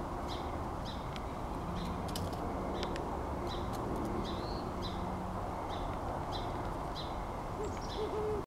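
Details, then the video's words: Great horned owl gives deep, soft, drawn-out hoots in a low steady series, over faint high chirps from small birds and a constant background hiss. "Great Horned Owl Hooting"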